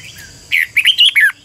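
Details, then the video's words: Decoy red-whiskered bulbul singing to train other birds, one short phrase of four or five rapid, bright, slurred whistled notes after a brief quiet start. "chào mào mồi hót luyện giọng cực hay"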